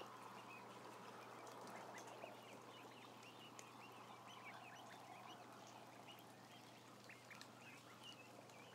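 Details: About a thousand ducklings giving a ceaseless mass of high, short peeps, several per second, over a loud murmuring background and a steady low electrical hum.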